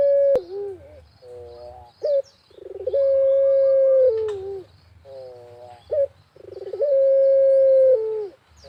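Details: Barbary dove (puter) in full voice in the countryside, a lure call for other doves: repeated phrases of a rolling stutter, a long drawn steady coo and short warbled notes, about sixteen per minute, with a sharp click and scattered high bird chirps.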